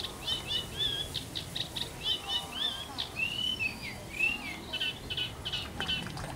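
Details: Eurasian reed warbler singing at a wetland centre in London: a steady, chattering run of short grating and whistled notes, repeated in uneven pairs and triplets, with faint background noise throughout.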